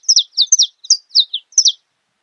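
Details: Saffron finch song phrase: six quick doubled chirps sweeping downward from high pitch, bunched closely, then silence.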